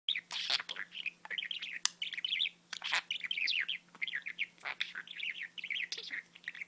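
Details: Pet budgerigar talking indoors: a fast, continuous chattering warble of squeaky, slurred syllables laced with sharp clicks, running almost without pause for nearly seven seconds, with a faint steady hum underneath.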